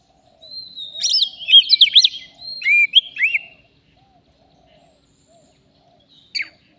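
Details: Wild Oriental magpie-robin singing loudly during a trapping session. Two dense bursts of quick looping whistles and slurred notes, then a long quiet pause broken by one final sharp note.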